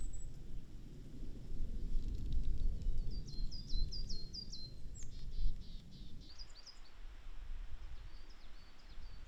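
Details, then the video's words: Wild coal tit in Japan in April giving a burst of high, sweet repeated two-note phrases, rapid and bouncy, five or six in quick succession, then fainter echoing phrases later, with steady low-pitched background rumble throughout. "ヒガラ 鳴き声"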